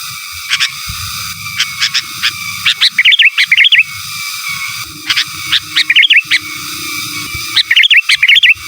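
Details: Sooty-headed bulbul in lively giras and menggaruda song style, used as master song: bursts of sharp clicks then quick warbled whistled phrases, in three groups roughly every two to three seconds, over a low rumbling background hum.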